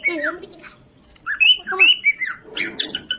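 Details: Parrot kept at home, playing with a baby and described as talking: a harsh low squawk, a pause, then a cluster of bright, sliding, chattering calls.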